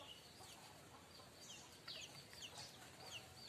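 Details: Streaked weaver (manyar kembang), a bird in full song, singing the 'mbeset' style used as a lure to tutor other weavers: thin, high sweeping notes, some rising, some falling, in a quick running chatter over a steady faint hiss.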